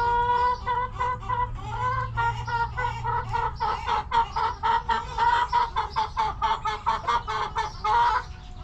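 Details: Backyard chickens relaxing in their coop, hens clucking: a steady run of short, harmonic, nasal clucks repeated about three times per second for the whole stretch, with a low hum underneath.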